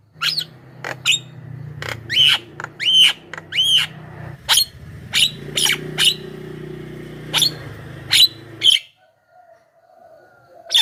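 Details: Javan myna lure for wild birds, with a fairly steady series of harsh, squeaky notes over low rumbling background, ending in near quiet with one last note.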